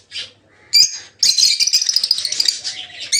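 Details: Aviary-kept peach-faced lovebirds, bred in several colour varieties, burst into a sustained, dense chatter of shrill overlapping squeaks after two short sharp calls.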